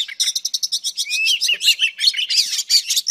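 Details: Singing female Oriental Magpie Robin, whose song is used to excite males; quick series of clipped chirps, a clear upslurred whistle near one second, then dense warbled notes, all high-pitched and fast.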